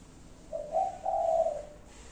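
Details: Spotted dove giving its five-note coo, rendered locally as "cục... cu cu...cu...cu": a short low note, then a rising hollow coo and a longer drawn-out coo, soft and mellow, over a quiet background.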